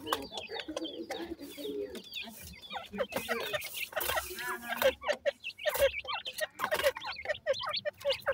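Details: Grey francolin (gora teetar) chicks during feeding: dense, overlapping short chirps and soft clucks, with rapid high peeps rising and falling in quick bursts and many callers at once.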